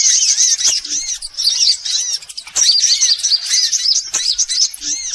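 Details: Lure sound meant to draw in every type of sunbird: a busy stream of shrill, overlapping tweets and short up-and-down twitters, nearly continuous and high in pitch.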